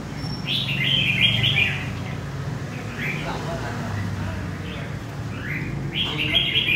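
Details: Red-whiskered bulbul, wild-caught adult from central Vietnam, opening with a quick cluster of chirpy warbled notes, then scattered brief whistles before another bright burst at the end; low rumbling background.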